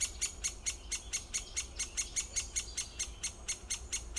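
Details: Rapid series of hard, ticking notes from a great spotted woodpecker, evenly spaced at roughly two per second throughout, over soft low background noise.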